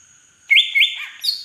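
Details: Large green leafbird from Beutong forest, Aceh, in song with drongo-imitation fill-in: two loud, quick upward-sweeping whistles run into a sustained clear note, followed by a burst of higher chatter.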